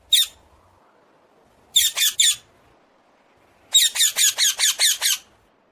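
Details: Common hill myna squawking: one lone harsh note, then a burst of three rasping calls, then a longer run of about eight rapid, scratchy squawks, against a faint low background hum.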